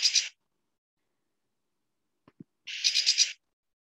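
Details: Lesser Goldfinch flight call, a key phrase of four quick buzzy notes mixed into its song: a high, bright phrase after a short burst of similar song, with a couple of soft low clicks between.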